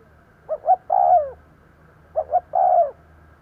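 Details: Spotted dove lure call for attracting wild doves. Two phrases arrive about two seconds apart, each two soft rising notes and then a sustained coo that falls away, over a quiet low hum.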